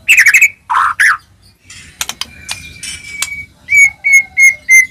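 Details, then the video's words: White-rumped shama song to provoke other shamas: mixed warbled and rasping notes, a thin steady whistle, then four evenly spaced clear whistled notes. "murai batu gacor, AMPUH buat pancingan murai batu agar bunyi"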